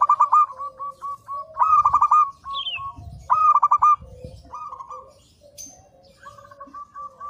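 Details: Master training recording of a local zebra dove (perkutut) in full song. Repeated bursts of fast, staccato cooing notes come roughly every second at first. They fade into softer, level coos from several doves, with an occasional high chirp.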